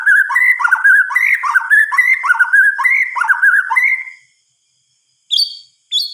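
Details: At night a white-rumped shama gives about four seconds of rapid harsh chattering notes. A pause follows, then two short high sharp notes.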